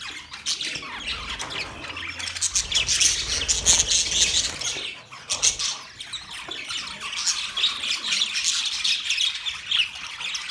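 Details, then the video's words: Budgies, Australian parrots, chirp in scratchy overlapping twitters, loudest in the first half, easing briefly, then resuming as a softer steady chatter. "Budgies chirping sound"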